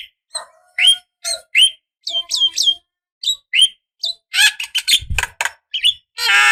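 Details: Javan myna female calling to a male as a lure: spaced clear whistled notes, some rising then falling, giving way to dense harsh chattering and a rasping hiss at the end.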